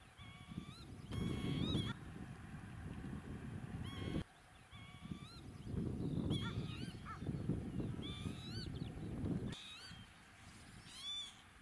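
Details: Northern lapwing near Toruń, Poland, giving wheezy, nasal, rising 'pee-wit' calls in short bursts every few seconds, over a heavy low rumble of wind.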